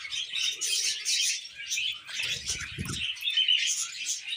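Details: Singing pair of pet budgerigars on a hand: dense chattering warble of high chirps and rasping notes, with a low bump around the middle.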